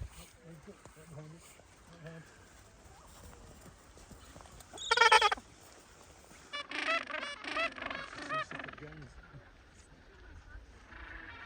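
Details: Gentoo penguins on land in Antarctica, March 2025, give harsh, braying honks in bursts, one loud blast near five seconds then a run of repeated brays; wind and a person's voice also heard.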